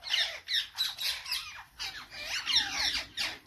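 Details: Several parrots give rapid, grating squawks in quick irregular bursts, about three to four a second, with some curved, raspy notes.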